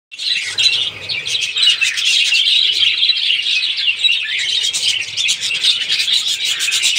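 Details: Baby budgerigars (Melopsittacus undulatus) keep up a busy, high chirping chatter, many voices overlapping without pause.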